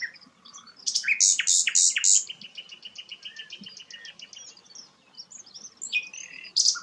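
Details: Sikatan londo flycatcher in full song: a few loud harsh notes followed by a long, fast, steady trill that fades, then scattered chirps and a final sharp note.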